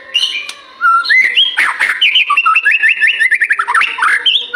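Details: White-rumped shama singing, a lure meant for morning and afternoon to set other shamas singing; loud, rich and varied, with rapid warbled whistles and a fast run of rising and falling notes.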